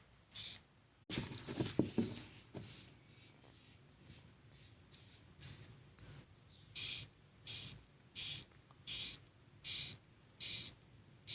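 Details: Swiftlets in a swiftlet house in chick season: a brief rustling thump, soft high twitters and short rising whistles, then a run of evenly spaced, sharp high chirping pulses repeated roughly every 0.7 seconds over low hum.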